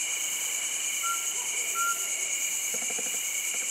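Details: Mountain scops owl at Lansdowne, Uttarakhand, gives two clear, flat whistled notes about a second apart, over a loud, steady chorus of crickets and other insects.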